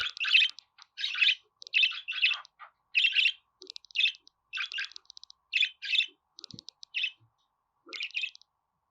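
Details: Budgerigar chattering song played to make pet budgies sing: bursts of scratchy, buzzy chirps, some clustered in quick pairs and some drawn out, repeated about once a second over a quiet background.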